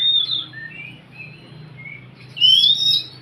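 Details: Oriental magpie-robin singing to encourage a quiet bird to sing: a clear high whistle, then soft warbled notes, then a loud rising whistled phrase near the end, with faint low background hum.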